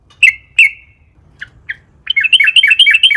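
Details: Sooty-headed bulbul singing in a long-rolling wild style to draw out other bulbuls: two ringing chirps, two soft short notes, then a sudden fast chattering run of paired rising-and-falling notes.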